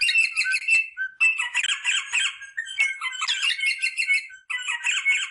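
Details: Rosella parrot sounds intended to prompt mating: harsh, squawky chatter in long bursts, a short low whistle near one second, then dense grating phrases with thin whistled notes.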